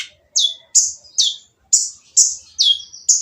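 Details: Sunbird giving a noisy, harsh song meant to provoke other birds into singing: sharp, high notes that drop in pitch, repeated about twice a second with short gaps, over an otherwise quiet background.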